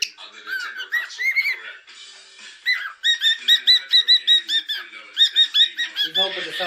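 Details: Pet cockatiel indoors giving clear whistled phrases, some rising and falling, then a fast series of repeated upslurred whistles about every fifth of a second, with music and a person's voice also present.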